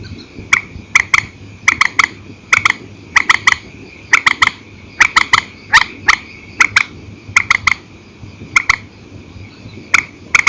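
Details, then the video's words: An old night recording of a purple swamphen doing single and double calls: sharp short notes, mostly paired, repeated steadily every second or so over a faint continuous high tone. "Tiếng trích hay file cũ TRÍCH 29, đánh đơn đánh kẹp ok"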